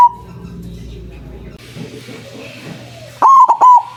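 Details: White zebra dove lure call for trapping: a brief coo fragment at the start, a stretch of hiss and low murmur, then one loud clipped phrase of three quick notes at the end.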